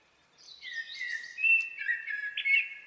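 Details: Common blackbird singing: a warbled, fluty phrase sliding around mid pitch, then a string of brighter whistled notes with a high twittering edge, on a quiet background.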